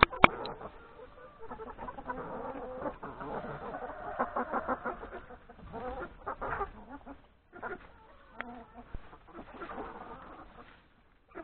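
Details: Flock of hens with three roosters breakfasting in a yard before going to the forest to graze; continuous soft clucking and chatter with brief pauses and a few sharp knocks.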